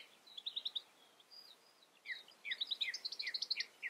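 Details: Goldfinch calls: a run of bright, rapid chirping notes, a brief pause with a thin whistle, then a fuller burst of liquid, tumbling twitters against steady soft background noise.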